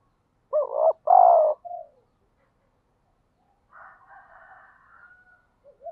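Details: Spotted dove calling to stir a decoy bird toward fighting: two loud, rich coo notes with a soft tail note, a pause, a quieter rough higher phrase, then a short coo starting again.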